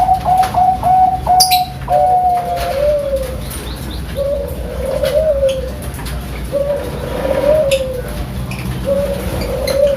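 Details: Captive Bangkok perkutut, the zebra dove, from Sidoarjo in East Java, delivering its 'pakem' song: a quick run of short whistled coos, then rolling, wavering coo phrases repeated roughly every two seconds, with faint clicks and room noise behind.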